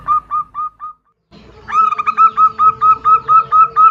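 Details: Female zebra dove calling a male, the pair answering each other: four soft, spaced coos and a short silence, then a quick, even string of about a dozen louder, ringing notes over a faint low drone.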